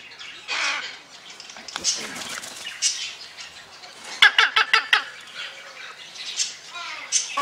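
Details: A male red-sided Eclectus parrot, hatched 2008, being tickled, chatters in raspy, speech-like phrases broken by harsh squawks and a quick burst of clicking notes, with wing flutters between.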